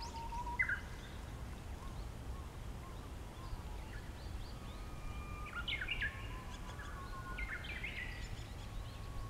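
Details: A Japanese bush warbler sings nearby, holding a long, level whistle before breaking into a quick, jerky flourish, while other birds call in the background throughout.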